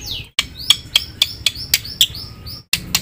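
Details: Black-winged myna singing its full, varied song: sharp, clicky notes and short high whistles repeated several times a second, with brief abrupt breaks between phrases.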